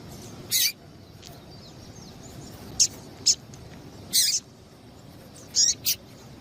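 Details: Call of a female Double-collared Seedeater, used to fire up males before contests: short, very high-pitched chirps and buzzy bursts spaced irregularly, sometimes paired, against faint background noise.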